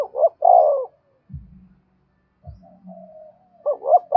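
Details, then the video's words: Luring coo of a spotted dove, in the 'thúc bổi' style. A hollow phrase ending in a long, drawn coo opens the recording, and a second phrase begins about three seconds later, with low thuds in between. "cu gáy thúc bổi và gáy gọi cực đỉnh, tiếng chim cu gáy hay và nhạy bổi"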